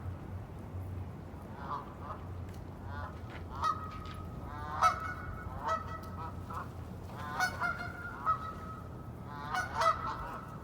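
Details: A wild duck flock wintering on refuge ground in icy cold gives loud, nasal honking quacks in short bursts, often overlapping, over a steady low background rumble.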